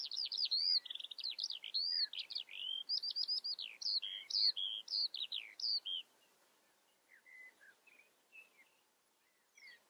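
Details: Eurasian skylark singing a rapid, unbroken stream of high warbled, trilled and chirping notes for about six seconds, then breaking into fainter, scattered chirps and short whistles. The background is quiet.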